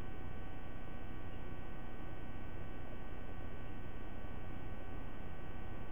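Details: Constant low electrical hum under a flat wash of noise, unchanging throughout, with no calls heard.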